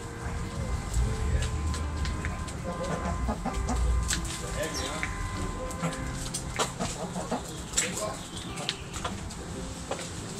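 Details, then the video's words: Roosters and hens in a backyard, pecking and scratching. Rapid, irregular clucks and short squawks run throughout, with low background music and human voices underneath. "Cute Back Yard Chickens Pecking Scratching Making Noise Roosters Hens!"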